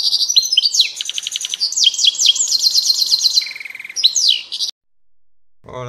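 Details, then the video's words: Captive European goldfinch, kept in breeding pairs, giving a fast, liquid twittering song of high tinkling notes with a buzzy trill, then a short pause before a man starts speaking. "CUSCUS PARA JILGUEROS"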